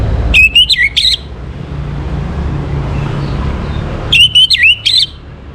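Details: Two matching phrases from an Orange-headed thrush singing in the morning. Each is a quick series of bright, stepping whistled notes, and they come about three seconds apart over a quiet low hum.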